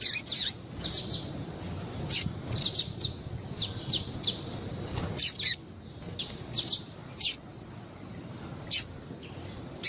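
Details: Female double-collared seedeater, a 'piadeira' whose calls set males singing: a long series of high, sharp chirps, mostly single or paired, irregularly spaced over soft hiss.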